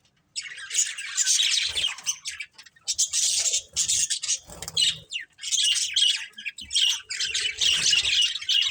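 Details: Pet budgerigars living as a family flock chatter continuously, long bursts of raspy, busy warbling separated by short pauses, several birds overlapping.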